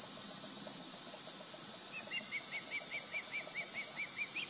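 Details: Fledged juvenile Osprey calling near the nest while an adult perches on a light pole, July 16, 2020: a fast string of short, high, arched chirps, about two per second, over steady hiss.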